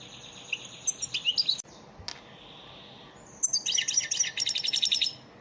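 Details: European goldfinch lesson song in the elmacık style for caged birds: a thin whistle and a series of quick chirps, a pause with a faint click, then a bright, rapid tinkling trill lasting about two seconds.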